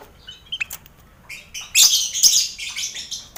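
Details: Caged lovebirds in a crowded colony enclosure alongside finches and quail, used for contest mental training; a few thin chirps at first, then a dense, scratchy burst of shrill calls.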